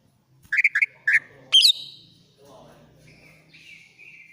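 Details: Greater green leafbird from Banyuwangi singing shrill and agitated to prompt a silent bird: quick run of chirped notes, a loud rising squeal, then a thin sustained whistle.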